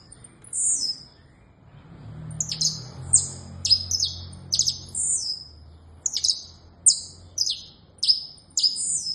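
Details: Saffron finch song: clipped, high chirps falling steeply in pitch, given in quick clusters after a short opening phrase; a faint low hum runs underneath.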